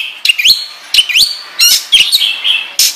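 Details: Oriental magpie-robin, known locally as kacer, singing in the ngobra style used to lure and train birds: bright whistled rising slurs alternating with harsh raspy notes, delivered in short loud bursts.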